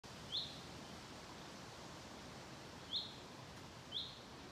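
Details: A common chaffinch at Mingen, Njurunda on 12 June 2023 gives three short, sharp, high call notes spaced one to three seconds apart over a steady rushing background hiss, before ending with a song strophe.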